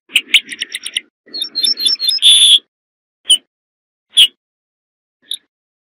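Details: Corn bunting singing a fast, jangling series of high ticking notes that runs into a brighter, sustained high note, followed by a few isolated sharp chirps.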